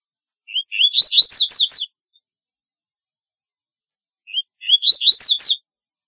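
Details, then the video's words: Double-collared seedeater song for calling: two similar phrases about three and a half seconds apart, each a rising whistled lead-in followed by a quick run of loud, buzzy, sweeping chirps. "Corbatita Canto Para LLamar 2 - Double-collared Seedeater Call Song - Sporophila Caerulescens"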